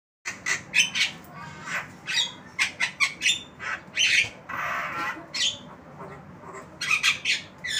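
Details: A tame, talking Javan myna gives a run of harsh, squawky, chattering notes in quick bursts, some grating and drawn out, with a few brief pauses between phrases.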